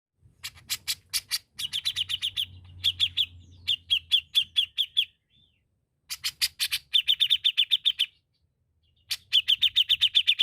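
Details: Grey-cheeked bulbul singing actively: bursts of rapid, slightly rough notes around a steady mid-high pitch, repeated several per second in phrases of one to two seconds separated by short pauses, with sharp clicking sounds and faint low rumble.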